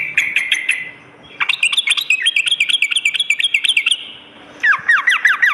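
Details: Night song of the sooty-headed bulbul, used as training audio: short bursts of lively chirps with sharp clicks, a rolling run of wavering notes, then descending slurred whistles.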